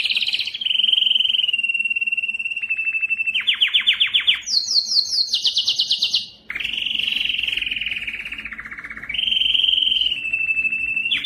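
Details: Powerful canary song for coaching fledglings and rousing males: long rolling trills shifting between pitches, a burst of high fast repeated notes, a brief dip, then smooth continuous trilled tours.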